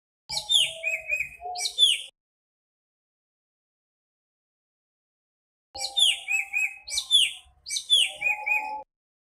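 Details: Nightingale song in two bursts separated by a long pause: clusters of high, swooping whistled notes over a steady lower hum.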